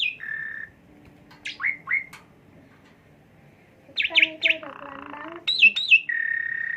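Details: Asian pied starling giving song as a lure to stimulate a bird: a short whistle and buzz, scattered sharp falling notes, a harsh rasping phrase mixed with whistles, and a closing steady buzzy tone.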